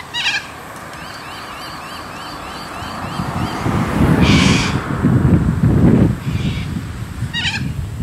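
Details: A wild flock of about 20 Little Corellas (Cacatua sanguinea) returns to Moorooka, Australia: two harsh, raspy screeches, at the start and near the end, over a steady wind-like rumble, with faint repeated high chirps from another bird.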